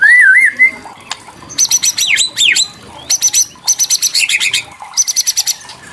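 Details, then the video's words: White-rumped shama song for stirring other shamas to sing: an undulating whistled phrase, then many rapid high buzzy trills and swooping notes in quick clusters. "KRETEKAN MURAI BATU MEMANCING EMOSI - TROTOL & PASTOL LANGSUNG NYAMBER DENGAN CEPAT"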